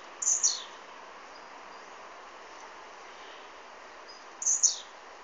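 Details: Blue-black grassquit singing: two brief, high, buzzy phrases, each a quick burst that slides downward, about four seconds apart, over a steady soft hiss.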